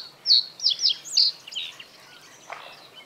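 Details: Male common reed bunting singing from reeds above water in the breeding season to defend its territory; a short phrase of four or five sharp, high chirping notes in about a second, then quieter trailing notes.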